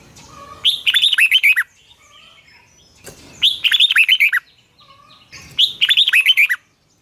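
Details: Red-whiskered bulbul morning song for training other birds, in a 'long twisted double voice' style: three evenly spaced phrases of rapid, rich whistled notes falling in pitch, each lasting about a second.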